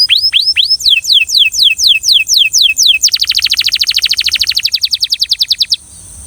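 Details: Belgian canary singing rhythmically: a series of clear downward-sweeping whistles about three per second, then an abrupt switch to a fast, even trill of rapid repeated notes that stops sharply.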